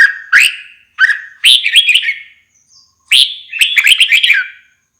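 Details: Red-whiskered bulbul in song, giving loud cheerful warbled phrases of rapidly rising and falling notes, delivered in two groups separated by a short pause, with no other sounds.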